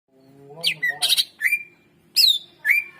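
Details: Greater green leafbird song used as a master recording to prompt silent birds to sing: sharp downslurred whistles and harsh chattery bursts in short separate phrases, with a faint low hum beneath.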